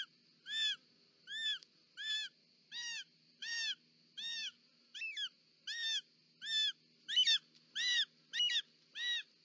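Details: On 18 July 2024 in Parc Natural dels Ports, Catalonia, a short-toed snake eagle mother delivers a snake to the nest, uttering fourteen clear, arched, mewing whistles at a regular pace, with a constant high tone behind.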